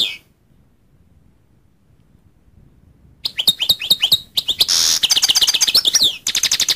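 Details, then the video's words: After a long quiet opening, a goldfinch bursts into dense high twittering with quick chirps, a buzzy rasp and rapidly repeated bright notes to the end. "goldfinch sound"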